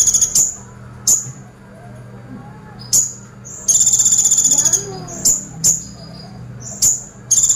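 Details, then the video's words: Brown-throated sunbird delivering 'tembakan pelatuk' woodpecker-burst song: a string of sharp, high, clipped chips at uneven intervals, broken by a fast metallic rattle of about a second; faint low hum underneath. "KONIN GACOR FULL TEMBAKAN PELATUK - KONIN TEMBAKAN PELATUK"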